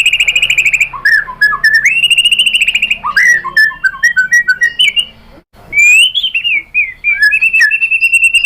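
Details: Lure song of the white-rumped shama (murai batu) used to make other birds sing: sustained high whistles, rapid varied note strings and swooping slurs, with one brief pause midway.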